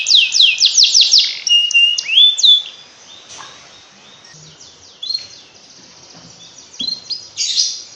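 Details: Canary singing as a training recording to make lazy canaries sing ngekek: a loud burst of rapid rising sweeps and whistled notes for three seconds, then softer scattered chirps and short trilled phrases.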